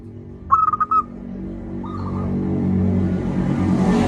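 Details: Local zebra dove with a loud voice, used as a lure to make lazy doves sing: one bright stuttered coo phrase, a faint softer coo, then rising rushing noise that swamps the rest.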